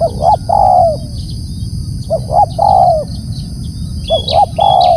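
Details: Spotted dove calling loudly in three regular phrases, each made of two quick coos and a long mellow falling note. A brief high chirp from another bird shows near the end, over a low hum.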